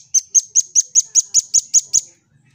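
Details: Red-billed scimitar babbler heard in a lively song-training recording: a fast series of ten sharp, high, clipped notes, evenly spaced about five per second, ending abruptly with faint low thumps beneath.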